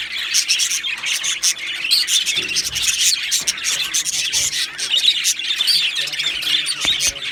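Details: Two male Australian budgerigars chattering: rapid, sharp, high chirps and clicks in a steady twittering flow, with occasional louder squawky notes.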